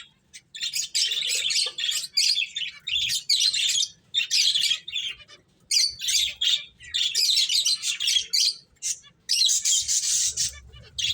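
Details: Playful finches produce loud bursts of buzzy, high-pitched chirps and squawks, each cluster lasting about a second and separated by brief pauses.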